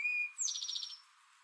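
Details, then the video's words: Male Eastern towhee singing: a clear, steady whistled note, then a brief high note and a fast buzzy trill of about six pulses, like 'drink-your-tea'. "Eastern towhee singing"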